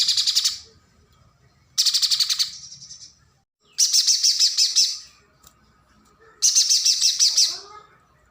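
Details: Pijantung gunung spiderhunter, a nectar-eating bird, whose song is used to tutor competition songbirds: four loud, harsh, rapidly pulsed high trills, each about a second long, spaced by short silences, with faint lower chirps after the last.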